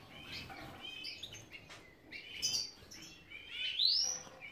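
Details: European goldfinch of the subspecies major, a captive bird kept for breeding in Ioannina, Greece; soft scattered twittering notes and short chirps, ending in a brighter rising sweep near the close, quiet overall.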